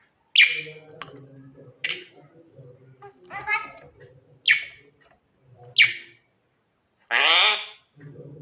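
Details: Javan myna singing at night to call its mate: sharp loud harsh notes roughly every second, a rattly phrase, and a final long broad buzzy note, over a steady low hum.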